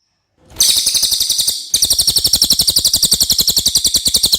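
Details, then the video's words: Common iora, a clear song suited as a tutor recording for white-rumped shamas: a fast, loud, high buzzy trill of even pulses, about four per second, breaking briefly after one second then resuming steadily to the end. "suara cililin jernih"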